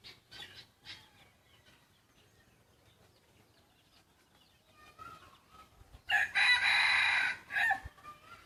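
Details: Scattered small-bird chirps lead into one loud, grating crow of about a second and a half from a young yellow decoy rooster bred from wild junglefowl stock, ending with a short tail note.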